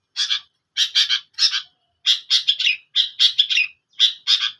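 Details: Singing long-tailed shrike: clusters of two to four grating, scratchy notes delivered in quick, uneven bursts with brief gaps.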